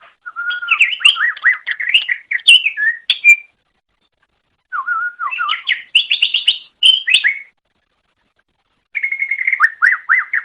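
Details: Song of a greater green leafbird, played to train pet songbirds: rich, varied phrases mixing low whistles, rising slurs and rapid high chattering, three bursts with quiet pauses between.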